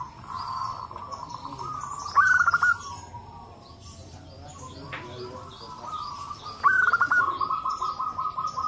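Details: Local zebra doves calling together as a lure to get other doves singing; a soft rolling trill is broken twice by loud clusters of sharp, fast-repeated cooing notes, with more trilling birds in the background.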